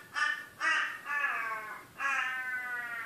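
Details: Crow going after its own reflection, giving drawn-out, nasal caws: two short ones, then two longer harsh calls about a second each, rich and grating, with a low steady hum beneath.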